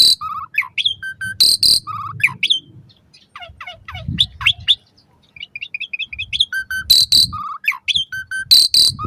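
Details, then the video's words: Song of the Asian pied starling, played morning and evening to encourage caged starlings to sing. Varied whistles, grating broadband bursts, quick chattered notes and a short trill, with the opening phrases returning near the end. "Suara Kicau Jalak Suren"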